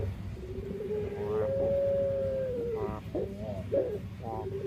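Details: Dove with an unusual voice unlike other doves: a long, steady whistled hum that rises slightly and holds, then short rolling, vibrating notes, over a low background rumble.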